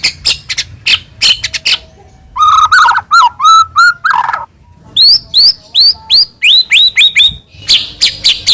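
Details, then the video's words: Loud white-rumped shama song, used to make another shama sing: sharp high bursts, a series of lower whistled notes, then repeated rising sweeps about three per second. "murai batu gacor AMPUH buat PANCINGAN murai batu agar bunyi"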